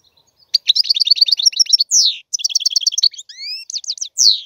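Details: Liquid goldfinch twittering: a rapid string of high chirps, a falling buzzy slur, a second chattering run, then three clear rising whistled notes and a closing downward slur; nothing else audible.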